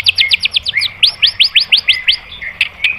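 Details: White-rumped shama song used as a master recording to provoke other birds into singing: a fast run of about twenty repeated upslurred whistled notes, then sharper clipped phrases.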